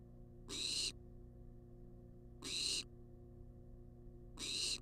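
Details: A barn owl in a wild, monitored nest box repeats broadband, raspy food-begging hisses about every two seconds, each roughly a third of a second long, over constant mechanical hum.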